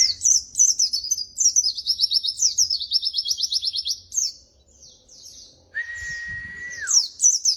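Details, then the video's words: Pleci, a white-eye, in strong continuous singing for a training recording: lively high warbling that breaks into rapid buzzy trills of evenly repeated notes. Near the end comes a long level whistle that drops away, over a soft low rumble. "masteran bahan burung pleci terbaik"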